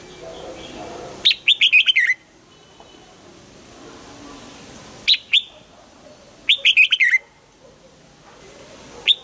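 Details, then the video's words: Caged red-whiskered bulbul during morning song training, giving three similar phrases of rapid whistled notes that run downward, spaced a few seconds apart, with soft low background noise. "Luyện giọng cho chào mào hót sáng, ép chào mào hót âm kép già rừng hay tuyệt!"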